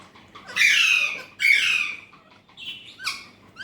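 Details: Alexandrine parakeet talker producing two loud, drawn-out grating squawks, each nearly a second long, followed by softer clipped squeaky syllables.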